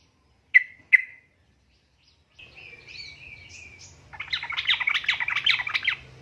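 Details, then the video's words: Yellow-vented bulbul female calling a male, a lure to make males answer: two sharp chirps, a pause, then a thin wavering whistle that breaks into fast, dense chattering notes with a low hum beneath. "suara ini bikin burung trucuk ikut nyaut"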